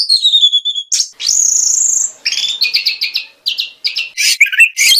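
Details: Oriental magpie-robin masteran song with tembakan: a long falling whistle and a sustained high shrill note, then a quick string of rhythmic, evenly repeated chirps.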